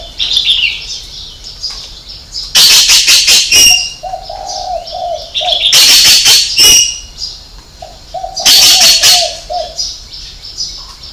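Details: Spotted dove giving a six-note coo in the 'hậu 3' style: low, soft, rounded coos in short strings, twice interrupted by loud, hissing high-pitched bursts of noise.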